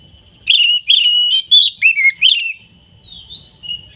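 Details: Kacer, the oriental magpie-robin, from a collectors' compilation: rich warbled whistles and quick twisting notes in a short phrase, fading to a soft rising whistle.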